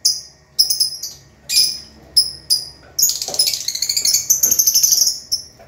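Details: Lovebirds in a group where some sing vigorously (gacor), others rest or sit in pairs; spaced single sharp, high chirps, then dense, fast chattering twitters filling the last half, with a faint low hum behind.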